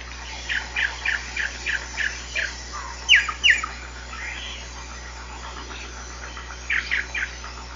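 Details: Giant cowbird delivering a long run of evenly spaced, descending notes, then two louder sharp slurred notes, a quieter pause with scattered soft sounds, and a final brief trio of notes.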